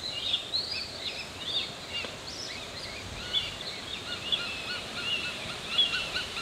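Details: Juvenile northern goshawks in Oyama city, Tochigi, Japan, give thin, high, whining calls that overlap almost without pause while trying to catch up with their parent, over a faint steady outdoor hiss.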